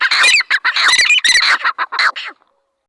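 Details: Dhakani teetar, a partridge, giving a dense burst of loud, harsh, overlapping squawks that fade out after about two and a half seconds.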